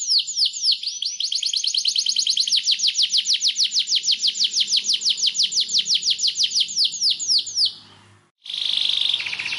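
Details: Training song of a white canary: a long run of quick, evenly spaced downward-sweeping whistled notes, about four per second, then a brief pause and a high, rapid rolling trill.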